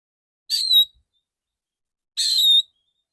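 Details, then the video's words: Two bright, ringing whistles from a male oriental magpie-robin, each steady then tailing slightly downward, spaced well over a second apart in otherwise silent surroundings, part of a clear 'dor dor' shot-style song. "Terapi burung kacer jantan dor dor tembakan full suara ngeplong jernih"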